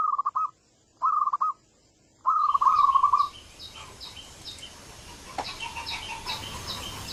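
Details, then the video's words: Zebra dove call used to lure birds: three bubbly, trilled, mid-pitched phrases, the last one longest. They are followed by steady hiss and faint, repeated higher notes. "suara pikat burung perkutut cepat datang dan nyaut....ampuh buat pemikat burung perkutut"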